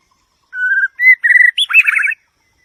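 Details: White-rumped shama singing a clear phrase of pure, level whistles that step upward, ending in a rapid warbled flourish, with no other sounds behind it.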